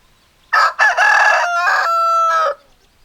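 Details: Crow of a rooster broken into parts: two short harsh bursts, a longer rough phrase, then a sustained clear tone and a final note after a brief gap, ending in a downward slide.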